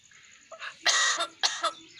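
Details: Hybrid myna mimicking a human cough: two loud, harsh, broadband bursts about half a second apart, each a noisy rasping hack, preceded by softer short huffs.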